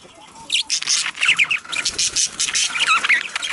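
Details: Budgie chatter used to encourage pairs to breed: a steady stream of short twittering and squeaky whistled notes, some with quick upward slides.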